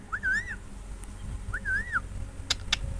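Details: Parrot giving two matching whistled calls, each rising then falling in an arch, about a second and a half apart, followed by a couple of sharp clicks.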